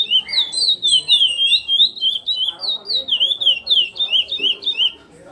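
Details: Curió (chestnut-bellied seed finch) singing the praia style: steady run of loud, rolling whistled notes, each one wavering up and down, around three per second, fading out at the end.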